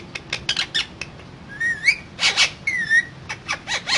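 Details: Parrot talking: short sharp clicks and chirps, then thin whistled tones sliding upward and downward, with a few bursts of harsh noisy sound between them.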